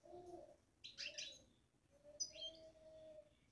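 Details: Babbling from a caged European goldfinch: two short bursts of high, jangling twitter, accompanied by a low, steady hum that rises and fades.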